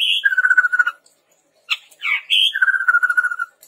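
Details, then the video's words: Energetic chestnut-rumped babbler song for training birds: a fast, stuttering trill of even notes, a brief harsh burst, a rising whistled slur, then another long rapid trill. "SUARA PANCINGAN BURUNG TEPUS TUNGGIR MERAH GACOR COCOK UNTUK MASTERAN"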